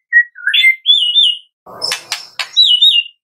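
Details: Morning lure recording of a Medan White-rumped shama singing to prompt captive birds: rich fluting whistles rising and falling, interrupted by rough scratchy bursts and a low buzzy rattle.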